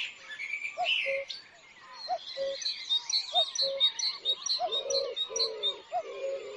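Eurasian blue tit giving rapid, thin, high chirping notes, about two per second, over a lower repeated hooting tone from another bird.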